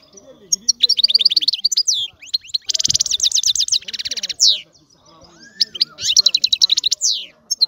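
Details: European goldfinch in full song, a lively mix of liquid twitters, dry buzzy trills and sweeping notes in several bursts, with faint low background sounds.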